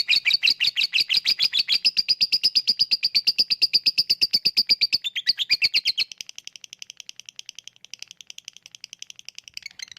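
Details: Lovebird lure recording meant to make lazy birds sing: loud, rapid high chattering 'ngekek' for six seconds, then a softer, thinner stream of quick ticks continuing to the end.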